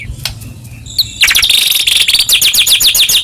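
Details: White-rumped shama, Medan murai batu in full gacor song meant to stir other shamas to sing: after a few sparse notes, a sudden dense, high, rapid warble of fast-repeated twittering phrases fills the rest.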